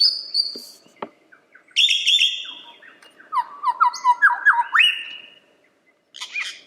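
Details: Lyrebird song made of mixed pieces: a high sustained whistle, a sharp click, a loud buzzy rasping phrase, then a rapid stepped sequence of clear whistled notes climbing and falling, and a last rough burst.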